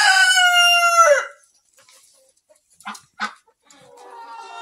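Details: Rooster in a mixed-breed barn flock, recorded September 10, 2023, gives one long harmonic cock-a-doodle-doo of about a second, followed by two short sharp clucks and then soft, low murmuring clucks from the hens.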